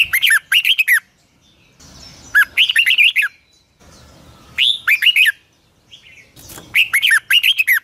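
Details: Caged red-whiskered bulbul trained to sing in the morning, delivering a long double twisting voice: bursts of rich looping whistled notes around mid pitch with sharp high overtones, repeated in four phrases separated by short pauses.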